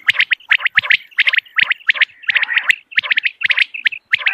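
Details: Morning common quail calls for hunting lure use: steady stream of short, high, clipped notes grouped in threes, roughly one and a half groups per second, with a few rougher lower notes.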